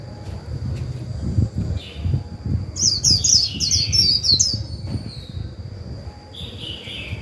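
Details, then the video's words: Decoy white-eye giving its líu song to stir up a newly caught bird: one rapid burst of high, sliding chirps in the middle, over low rumbling background noise and a steady thin high tone. "Khuyên mồi líu vừa phải kích bổi líu ngay!"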